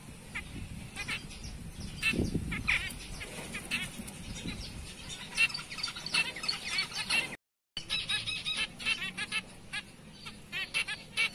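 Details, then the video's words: Black-breasted and light-back zebra finches call with short, bright, nasal beeps, scattered at first and then in closer runs, with a brief low thump early on and a soft background hum. "Zebra Finch BB and Light Back"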